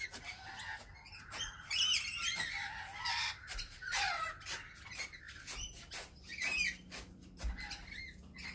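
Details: Several rainbow lorikeets lined up on a fence waiting to be fed, giving overlapping harsh screeches and shrill squawks in a constant noisy chorus, with brief clicks and scuffles between calls.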